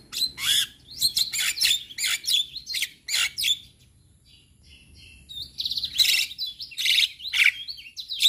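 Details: Male Javan myna singing as a lure for other mynas, bursts of scratchy chatter and chirps, a quieter pause with faint notes, then renewed harsh calls.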